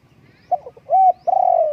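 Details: Spotted dove giving its call: short clipped low notes, a smooth arched coo, then a drawn-out, gently falling coo with a faintly rolling, pulsed texture, all in near silence.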